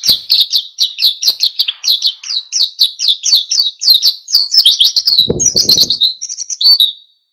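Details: Oriental white-eye in vigorous wild-style song aimed at provoking other birds to sing: long unbroken series of bright, high, rapidly repeated chirps and twitters, with a brief low thud partway through.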